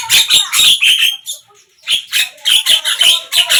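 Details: Song of a Javan myna heard morning, midday and evening: loud grating chatter and sharp squeaks, a quiet gap of about half a second, then more rapid scratchy notes.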